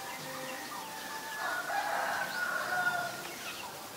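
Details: Black-collared starling in Ubon Ratchathani, Thailand, 17 April 2022, giving a rough, grating call mixed with ringing whistles that swells mid-clip, with softer squeaks before and after.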